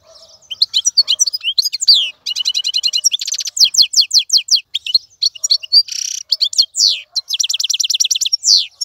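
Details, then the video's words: Caged wild-caught European goldfinch singing almost without pause, a rapid, liquid stream of high twittering notes mixed with rattles, buzzy trills and short tinkling phrases. "مقنين خلوي يغرد بصوته النظيف, تغريد حسون بري دون توقف"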